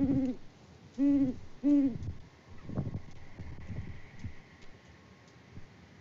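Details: Wild Great Horned Owls, a mated pair on a farm live cam in Peabody, Kansas, in February, hoot to each other after the male delivers rodent prey. Three deep, even hoots come in quick succession, then faint rustling.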